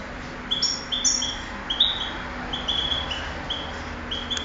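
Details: European goldfinch kept for singing contests, recorded 2008, delivering sparse high tinkling notes and short level whistles about every half second, with soft room hum underneath.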